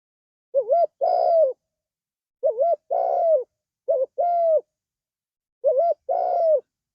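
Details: Spotted dove (tekukur) kept as a cage bird, cooing phrases in a low mellow register around 500–700, each a short rising note then a longer sustained coo, four phrases over seven seconds with quiet gaps between, indoors.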